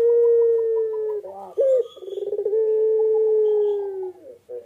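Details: Barbary dove (puter pelung) on its eggs, holding a long smooth slowly falling coo, then a short upturned note, a quick pulsed stutter and another long drawn-out level hum.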